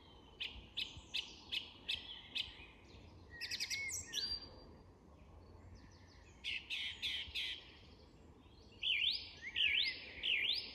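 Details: Song thrush in English woodland at dusk: sharp high notes repeated five times, a squeaky flourish, a further set of repeated notes, then a zigzagging whistled phrase given three times.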